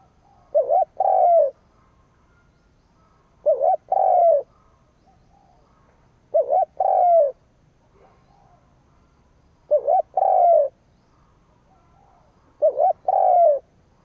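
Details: Decoy spotted dove calling to stir up wild doves. Five two-part coo phrases come roughly every three seconds, each a brief wobbling note and then a drawn-out coo sliding lower. No other sounds are heard.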